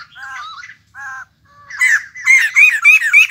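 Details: Wild-caught white-crested laughingthrush, newly brought into captivity as a cage bird, gives a few nasal, mid-pitched calls with gaps, then breaks into loud, harsh, rapidly repeated chattering squawks that build toward the end.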